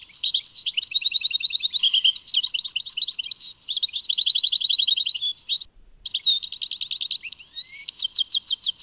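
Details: European goldfinch singing a Tadmait song, quick bright trills and twittering phrases, with rapid repeated notes and liquid slurs, broken by one short pause, on a quiet background.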